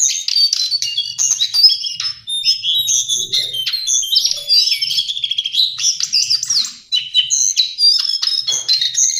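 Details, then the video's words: Lesser shortwing (Brachypteryx leucophrys), from forests at 900–1,900 m, in a long, busy song of high chattering trills, quick whistles and buzzy bursts, nearly unbroken apart from a brief dip near the end. "Master Pancingan Burung cingcoang/jongkangan coklat"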